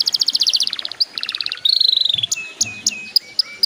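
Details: Canary song played to coax young canaries into singing soon: a fast, high trill of evenly spaced notes, then lower buzzy trilled phrases, a quick rising run, and a few sharp separate chirps near the end.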